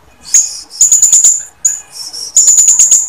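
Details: Female blue-crowned hanging parrot calling males, used to lure males into singing: very high, thin, shrill chirps in rapid bursts separated by short pauses.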